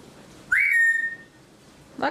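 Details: Parrot indoors making odd noises: a sharp, bright whistle that jumps up, then holds a long, level tone with ringing overtones before fading. A brief scratchy sound follows.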